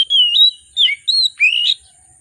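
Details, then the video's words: Oriental magpie-robin in agitated, vigorous song with rich varied content, used to provoke reluctant magpie-robins to sing: four loud whistled phrases, some sliding and warbling, separated by brief pauses. "Kacer Gacor, Kacer Emosi Memancing Kacer Sulit Bunyi, Kacer Isian Mewah"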